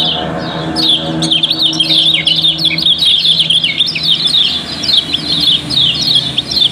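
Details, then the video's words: Busy song of yellow-bellied prinia, a Lombok cage bird used to make others sing: thick mesh of high chirps and trills begins after a second and continues steadily, with a low hum behind. "Kecial Kuning Auto Ramai, Pancingan Paling Ampuh"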